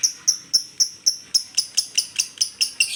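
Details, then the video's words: Lovebird giving koslet-style chirps: clear, sharp, high notes repeated about four times a second, becoming denser toward the end. "LB koslet/love bird"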